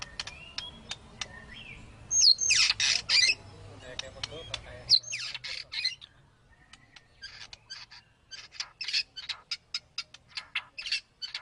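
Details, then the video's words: White-rumped shama (murai batu) of a sought-after 'super' strain, singing in an aggressive, agile style. Sharp high clicks and chips lead into loud harsh bursts, then a rapid, uneven string of short high notes. "Kelincahan MURAI BATU SUPER dalam berkicau"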